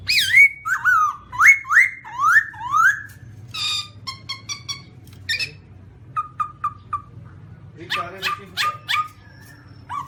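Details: Black-throated laughingthrush singing rich upslurred and downslurred whistles in a rolling series, then buzzy rattles, four short repeated whistles and a harsh chattering burst.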